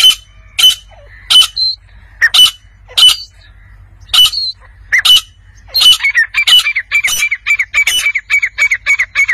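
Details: Wild chukar partridge calling: a run of sharp, evenly spaced clicking notes, then a quickening series of harsh, mid-pitched chuck notes repeated several times a second.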